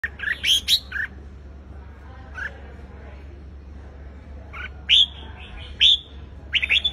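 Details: Red-whiskered bulbul, a wild-caught bird being provoked into competitive singing, giving short bright whistled notes in scattered bursts, some rising, with quiet gaps between phrases and steady low hum behind.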